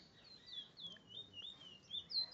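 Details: Chestnut-bellied seed finch, locally called bullfinch, recorded at Barrackpore, Trinidad, singing a brief, sweet, continuous warble of sliding high notes, rising and falling without pause, over a faint low murmur.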